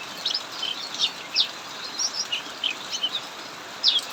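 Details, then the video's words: Cucak mini kept in an aviary, chattering steadily through a heavy downpour: sharp bright chirps and brief slurred whistles every half second or so, rising and falling, above constant rain noise. "Burung cucak mini Ngacor saat hujan deras"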